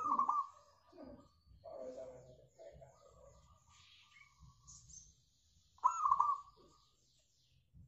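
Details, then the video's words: Local zebra dove in full song, heard as a lure recording: a loud broken coo opens the clip and another returns near six seconds, with softer mumbled sounds and low background rumble in between. "PANCINGAN AMPUH PERKUTUT LOKAL SUPER GACOR"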